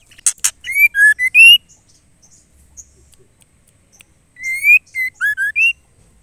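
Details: A female white-rumped shama calls the male with two matching whistled phrases separated by a pause of about three seconds. Each phrase is a rising whistle followed by quick, clear notes that fall and then rise, and the first phrase opens with a dry click.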